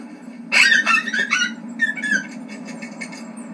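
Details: A Red-breasted Nuthatch at its nest in a snag, where the male brings insects to the female brooding newly hatched young in May, gives thin, high squeaky notes in two quick bursts, the first loud and excited, the second softer and more spaced, over a steady low hum.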